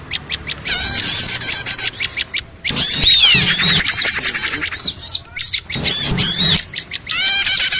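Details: Small birds calling noisily as a trapping lure: clustered bursts of rapid high chirps and downward-slurred squeaks, separated by short pauses of scattered single notes.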